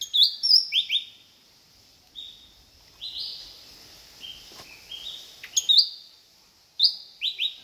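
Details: Short-tailed green magpie calling at Kinabalu Park, Sabah: chirpy, loud high whistles, some drawn-out level notes and short falling chirps in groups of two or three, with quiet gaps between phrases.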